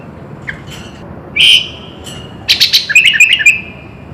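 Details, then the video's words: Sooty-headed bulbul in full isian song, a brief harsh note followed by a quick chattering string of jumbled whistled notes. "Suara Kutilang Full Isian"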